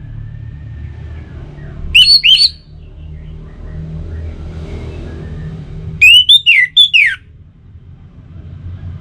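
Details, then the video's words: Orange-headed thrush singing to spur kept songbirds: two separate bursts, first a couple of rising whistled notes, then after a long pause a quicker cluster of four or five bright slurred whistles, with low traffic-like rumble between. "Suara Burung ANIS MERAH"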